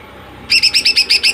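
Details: A female greater green leafbird, heard as a bait for males, gives a short, fast string of seven sharp, evenly spaced bright notes after a moment of quiet.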